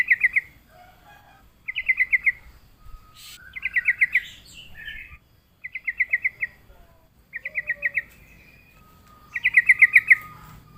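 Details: Sooty-headed bulbul, lured to reply and sing, delivers six quick trilled bursts of five to seven even notes, spaced about every two seconds, with a few softer whistled notes between them.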